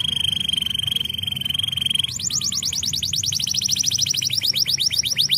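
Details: Canary song with a steady high rolling trill for two seconds, then switching abruptly to a fast series of bright rising-falling chirps repeated many times a second.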